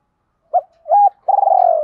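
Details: Short spotted dove phrase meant to lure wild doves: a brief coo, a longer level coo, then a drawn-out vibrating, slightly falling coo. No other sounds.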